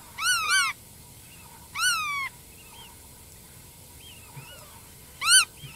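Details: Black-tailed godwit giving drawn-out, downward-slurred double notes and single calls spaced about one and a half seconds apart, with softer, fainter bird calls in the background.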